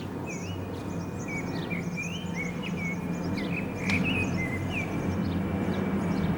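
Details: Common blackbird singing from an antenna in the town centre of San Martín, Zamudio, Bizkaia, on 18 April 2019; fluted, warbling phrases rise and fall through the clip over a steady low rumble and faint high chirps.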